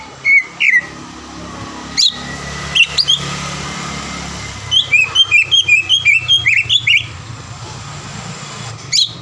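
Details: Green leafbird song used to provoke a rival: scattered single whistles and clicks, then a fast run of rising and falling whistled notes, over a constant hiss of background noise.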